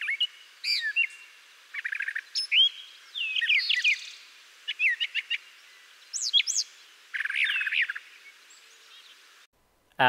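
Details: Spring song of a Brown Thrasher in central/eastern US backyards: a varied, mockingbird-like run of rich melodic phrases, many given twice in quick succession ("drop it, drop it, cover it up"), with brief pauses between.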